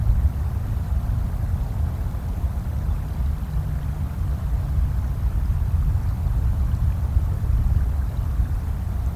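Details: A constant deep rumble, like wind or a distant engine, fills the whole recording with no animal voice.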